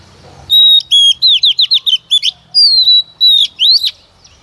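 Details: Female white-rumped shama singing to excite males: long pure whistles alternate with quick series of descending slurred notes, ringing and clear, over a quiet background.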